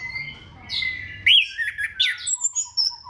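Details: Orange-headed thrush singing to stimulate other thrushes: a sustained whistled note, then loud slurred sweeping phrases followed by short clear chirps.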